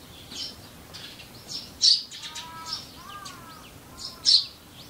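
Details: Wild Eurasian tree sparrows living close to people, across the four seasons: two loud, sharp chirps stand out over a quiet background, with softer chirps and faint whistled notes between them.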